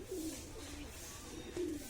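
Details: A trained male domestic pigeon coos low and soft beside a newly arrived pigeon, calling to court it, on a foggy dim winter morning, over a steady hiss of background noise.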